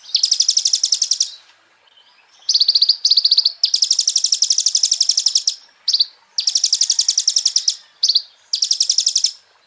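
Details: Kolibri ninja sunbird song compiled as a master for cage birds, dense high buzzing trills in long runs broken by brief clipped notes and short gaps.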